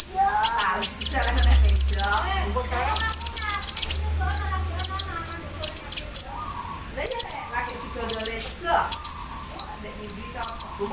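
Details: Javan sunbird in the morning dew, singing an embroidery-machine-like filler: dense bursts of piercing high chips, then sparser sharp notes, mixed with lower wavering warbles and a brief low rumble.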